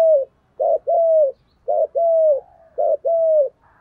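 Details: Spotted dove singing in the 'thổ' voice style: three phrases, each a short low note followed by a long, steady, slightly falling coo, repeated about once a second.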